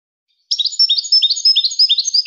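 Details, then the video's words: High, lively twittering of a European goldfinch after a brief silence, quick repeated chirps and slurred whistles delivered without pause. "Serenading Goldfinches"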